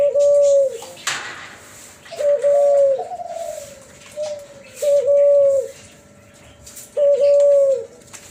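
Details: Cuhu Kelantan, a first-generation hybrid of Kelantan spotted dove and ringneck dove, giving a flute-like whistled coo: a steady sustained tone with a short rise, repeated about every two seconds, indoors with a few clicks between.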